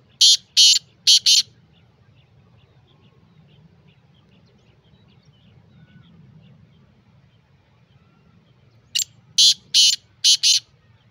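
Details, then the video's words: Free-calling black francolin (kala teetar) gives two phrases of four or five loud, scratchy, grating notes, about eight seconds apart, with a quiet hum and faint ticking between phrases. "Azad Bolny Wala Teetar | Kala Teetar | Black Francolins Voice"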